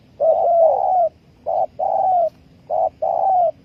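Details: Spotted dove used as a lure for trapping, giving mellow low coos in three groups, each a short note followed by a longer drawn-out coo, repeated steadily about every one and a half seconds, with a faint low hum behind.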